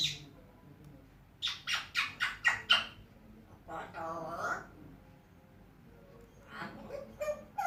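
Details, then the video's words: An African grey parrot talking, whistling and calling names in a quiet room: a run of five sharp, rasping squawks, then a harmonic, voice-like utterance and more short calls. "African Grey parrot taking, whistling,calling names"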